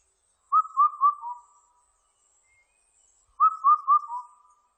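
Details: Two four-note whistled phrases of an Indian cuckoo, roughly three seconds apart. Each runs as three steady notes and then a dropping fourth, with no other sounds.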